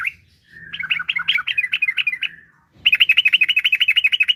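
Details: Lure recording of a yellow-vented bulbul for setting off other kept bulbuls: a quick stuttering run of chattering, warbled notes, a short silence, then a loud rapid trill of about twenty sharp, even pulses.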